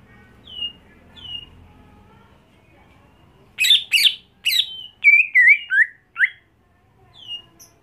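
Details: Greater green leafbird kept at home for contest training: soft whistled slurs, then a burst of loud, varied chattering and warbled notes, ending with a single thin whistle.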